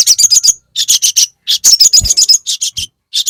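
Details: Crested jay (sogon) giving a fighter-style call meant to provoke other sogon and raise their drive. Rapid, sharp, high chattering notes in clusters of four to eight, separated by brief gaps, with faint low thumps.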